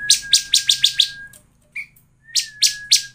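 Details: Rapid, evenly spaced buzzy chips over a long level whistle, a short pause, then three more chips over a renewed whistle; a bar-winged prinia lure song used to make birds sing.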